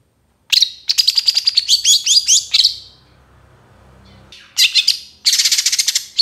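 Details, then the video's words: Young long-tailed shrike in moult singing a full varied song, used as a lure: fast rattling string of high chirps and whistles, a brief quiet gap with low hum, then two more dense bursts. "MASTERAN CENDET MABUNG MUDA GACOR FULL ISIAN 100% AMPUH BUAT PANCINGAN"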